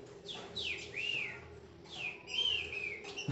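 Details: Green-winged Saltator, one of a newly acquired captive pair (male and female) that is starting to loosen up. It gives clear, rich whistled phrases that slur downward and rise, in two bursts about a second apart, over a low steady hum.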